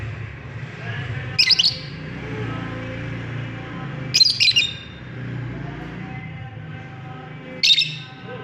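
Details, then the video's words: Lovebirds giving short, shrill, squawky chirps in three separate bursts several seconds apart, the middle one a quick double, over a constant low hum and faint background noise. "Amazing sound of love birds"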